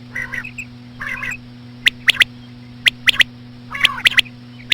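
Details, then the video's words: Female common quail call for drawing in quail: two nasal harmonic calls open, then sharp clicking phrases of one note followed by a pair, repeated about once per second, low humming background. "COMMON QUAIL CALLING WITH SLOW FEMALE QUAIL SOUNDS"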